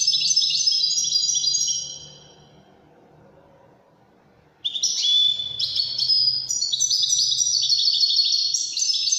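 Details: High, rapid tinkling twitter from a European goldfinch in the Wedani song style, tapering away, followed by a quiet pause and another energetic chattering, trilling run.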